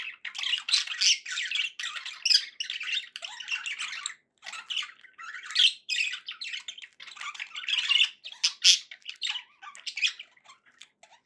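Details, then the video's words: Pet budgerigars in a happy mood, continuous busy warbling chatter of harsh buzzy notes and squeaks, rising and falling in bursts with brief pauses, indoors. "happy budgie sounds"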